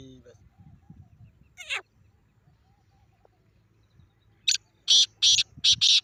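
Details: Grey francolin call played to draw a reaction from a pet francolin: after a single short rasp, a rhythmic run of four loud, harsh, broadband notes in quick succession.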